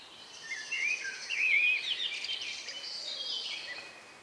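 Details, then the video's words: Countryside birdsong a few minutes before nightfall on 2 May 2020 around 9 p.m., recorded outdoors with stereo microphones: a high, twisting warbled phrase swells in the middle of the clip and fades over a soft background hiss. "relax sound of bird in the evening"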